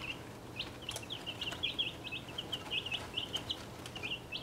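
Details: Six chicks about one and a half weeks old, a mix of Welsummer, Crested Cream Legbar, Partridge Plymouth Rock, Australorp, Buckeye and Golden Laced Wyandotte, in a travel box: constant high, short peeps in quick succession, with a few light knocks.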